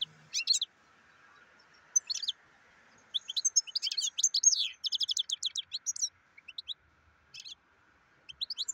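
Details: European goldfinch singing a long, fast, jangling twitter of high chirps and slurred whistles, dense in the middle and trailing off into short separate bursts, with a low background hum.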